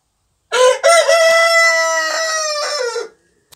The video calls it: Orpington rooster crowing